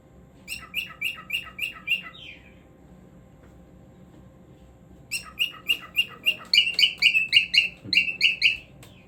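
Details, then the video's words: Cockatiel song in two bursts of rapid, evenly spaced chirped notes, about five per second, separated by a pause of nearly three seconds. "Cockatiel Singing Moments"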